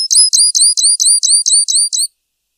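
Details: Grassland yellow-finch (Sicalis luteola), song.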